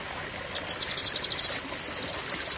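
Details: Blue-winged leafbird (cucak kinoi) song in the fierce, long 'tembakan' style. After half a second of quiet, a rapid high buzzy trill starts and runs on steadily, with pulses several times a second and a thin tone sliding slightly down.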